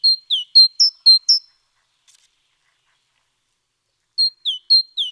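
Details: Great tit song recorded 29 October 2017, a quick series of bright alternating high and slightly lower whistled notes, a pause of nearly three seconds, then the same two-note pattern resuming; quiet background.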